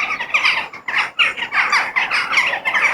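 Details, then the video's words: Crow outdoors: harsh, nasal caws repeated in short bursts roughly every quarter to half second, each clipped and raspy, with brief pauses between groups. "The Sound of Crow In Nature"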